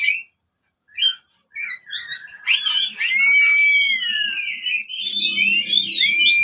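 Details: Oriental magpie-robin fighting song meant to restart singing in silent birds; scattered chirps at first, then a long descending whistle and continuous tumbling warbles with a faint low hum beneath.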